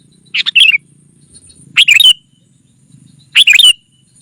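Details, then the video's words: Sooty-headed bulbul calling to lure wild rivals: three separate chattering phrases, roughly one and a half seconds apart, each a rapid run of bright slurred notes ending in a short downward twist. "Suara Burung Kutilang Pikat GACOR SUKSES Memanggil Lawan! Kutilang Liar Auto Kumpul"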